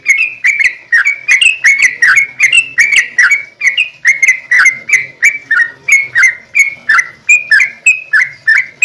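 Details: Yellow-vented bulbul singing hard, a 'gacor' lure recording meant to prompt other bulbuls to reply. Bubbly, liquid, slurred notes repeat steadily, nearly three per second, for the whole stretch with no pause.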